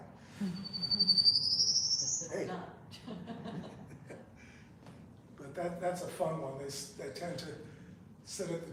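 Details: A Prairie Warbler in the Long Island Pine Barrens, likely the dwarf pine plains, gives a thin, buzzy series of notes climbing steadily higher over two seconds, like a jet engine warming up, followed by a man talking.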